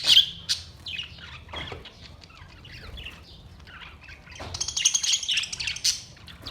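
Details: Budgerigars, 22 May 2023: scattered high squeaky chirps and warbling twitters, with wing flutter, building into a denser, brighter chatter near the end.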